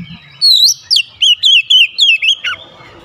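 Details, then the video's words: Oriental magpie-robin singing with its bill wide open: a loud, sharp series of rich whistled notes, each sliding and looping between mid and high pitch, delivered about four per second in a fast, varied phrase. "KICAUAN KACER BUKA PARUH LEBAR TEMBAKAN PEDAS"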